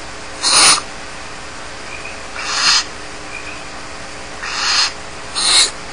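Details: Barn owl nestlings left alone at Starr Ranch produce four rasping, noisy hisses at uneven intervals, with faint thin tonal peeps between the bursts.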